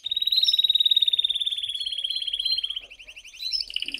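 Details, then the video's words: Canary producing a long, even, rapid trill of high pulsed notes, followed by a brief softer stretch and a renewed burst of buzzy trilling. "OS TRÊS #CANÁRIOS MESTRES DE #CANTOS"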